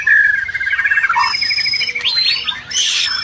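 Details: White-rumped shama song meant to make stalled, stressed shamas answer: a rapid run of rising notes, a thin high whistle, then dense overlapping chattering phrases.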